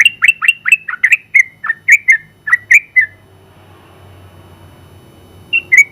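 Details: Champion yellow-vented bulbul tutor song: a fast run of rich, falling whistled notes for about three seconds, then near silence with low hum, before two more bright notes at the end.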